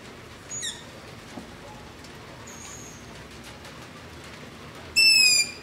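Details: Night recording of long-eared owl begging near a house on a ZOOM H5 and LOM Usi Pro: faint distant squeaks in the first seconds, a soft thin whine mid-way, then one loud, piercing, falling squeal at the end.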